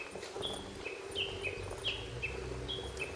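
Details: Lesser cuckoo singing unseen at Akiyoshidai, Japan: quick series of sharp whistled notes, each dipping or sliding slightly in pitch, given in rapid repeated phrases over a steady low outdoor hum.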